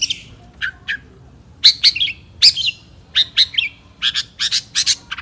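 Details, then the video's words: Long-tailed Shrike, a caged 2016 national champion, delivering spaced bursts of high, harsh chattering notes and sharp chips, each cluster separated by short silences. "KICAU BURUNG CENDET JAWARA NASIONAL GAYA SATU TITIK 2016"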